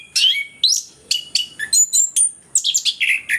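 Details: Orange-headed thrush (anis kembang) lure recording meant to get quiet birds singing; a lively, continuous mix of loud whistled slurs, high pure notes and chattering phrases delivered in quick succession.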